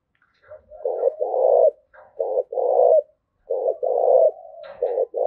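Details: Cooing spotted dove, played to train decoy birds and excite males: three close phrases, each a short hoarse note then a longer rolling coo, repeated about every one and a half seconds in clean quiet audio.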